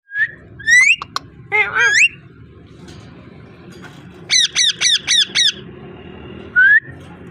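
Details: Ringneck parrot in a small room giving loud harsh squawks and rising whistled notes, then a quick series of five identical buzzy chevron calls, ending with one rising whistle; steady low background hum.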